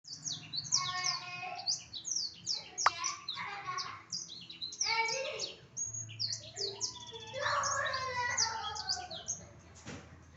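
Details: Black-throated canary singing a loud, busy song of rapid high chirps, trills and buzzy rattling phrases, nearly continuous with brief pauses, dense and varied throughout.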